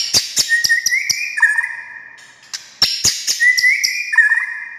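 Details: White-rumped shama song used to make quiet shamas respond: two similar phrases of a rising whistle stepping down to a lower tone, each with sharp clicking notes before it.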